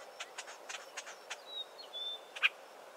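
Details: Southern Tchagras calling within dense Acacia: a quick series of soft, rhythmic harsh notes, then drawn-out thin whistles and one loud sharp click, faint overall against steady hiss.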